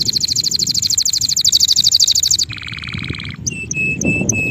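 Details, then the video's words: Male canary singing: a fast trill of rapid repeated high notes, then a lower buzzy rattling phrase, then short clear whistled notes repeated about every third of a second, over faint low background noise. "canario macho cantando"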